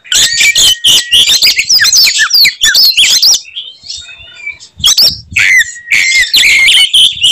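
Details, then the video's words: Oriental magpie-robin in fighting mode, singing to provoke rival magpie-robins into anger: dense, loud run of sharp whistles, rapid chirps and slurred notes, a short quieter pause near the middle, then the energetic phrases resume. "kacer gacor tarung bongkar materi tembakan khas bikin kacer lain NGAMUK dan EMOSI"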